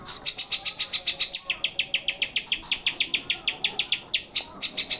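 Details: Greater green leafbird lure recording, meant to make caged birds sing readily and get agitated: rapid, regular high chirped notes, about four per second, running steadily through the stretch with a faint low murmur underneath.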